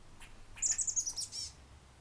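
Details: A Black-capped Chickadee at the Environmental Learning Center, Clackamas, gives a quick run of very high, thin notes, then one short buzzy note, fairly soft against a quiet background.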